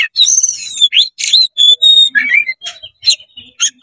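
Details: Oriental magpie-robin in fast, tail-opening 'konslet' song aimed at provoking other magpie-robins: long sliding whistles and rasping buzzes in close succession, a dipping warble near the middle, then spaced harsh chips.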